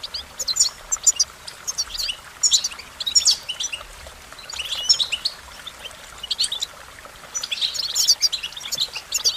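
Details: American goldfinch song: bright, high twittering bursts of quick chirps and short warbled notes, in phrases that come every second or two over a soft, steady background hiss.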